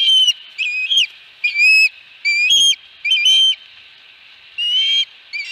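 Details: Sparser Osprey whistles at the Dunrovin Ranch nest on 22 August 2020, bird carrying a fish; slurred notes rise and dip in pitch, spaced out with quiet gaps between short phrases.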